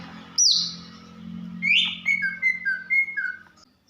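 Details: Female greater green leafbird (cucak ijo), caged, calling to raise the male's breeding drive: a high slurred whistle, then a bright rising note and a string of short clear whistled notes, over a steady low hum.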